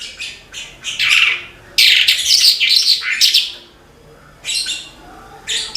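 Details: A Horsfield's bush lark singing energetically: staccato high notes lead into a loud, rushing phrase of scratchy twitters and buzzes, then a quiet spell and two short closing bursts.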